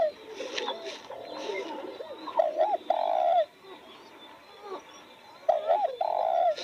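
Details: Spotted dove gives two clear coo phrases near newly blooming roses. Each phrase is a quick doubled hoot followed by a long, level, low coo, separated by a quiet pause with faint distant cooing.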